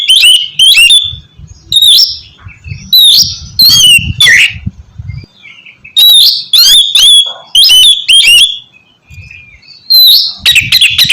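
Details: Oriental magpie-robin (kacer) in full ngeplong song for prompting quiet birds: a long series of bright, repeated whistled phrases over a low background rumble.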